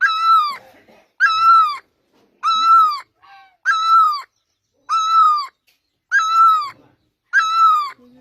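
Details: Great barbet singing: seven loud, ringing, nasal notes, each rising sharply at the start then gently falling away, given at an even pace of roughly one per 1.2 seconds with silence between.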